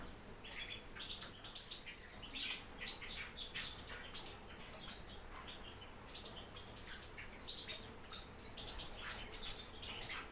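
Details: Captive warbling white-eye twittering: rapid series of high, sharp chirps and short warbled phrases, closely packed, with a faint constant background hum.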